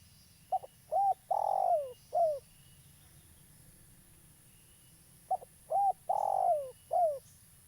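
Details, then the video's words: Spotted dove, a local bird in full voice, played as bait for trapping: two matching phrases about four seconds apart, each a brief note, a round coo, a long wavering falling coo and a last descending coo. "Tekukur lokal gacor , cocok untuk pancingan"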